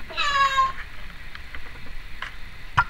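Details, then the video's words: Female pet Timneh African grey parrot, recorded in 2012, gives a half-second harmonic, meow-like call that slides downward, followed by faint clicks and a short sharp note near the end. "Timneh African Grey Parrot...various noises"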